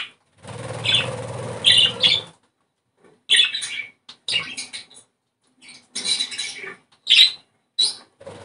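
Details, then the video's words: Budgerigar chatter to prompt breeding. A longer rasping, noisy burst mixed with squeaky notes opens the clip, then broken runs of high, scratchy chirps and short warbles follow at uneven intervals. "ESTIMULAR CELO !!! CANTO PERIQUITO AUSTRALIANO!!"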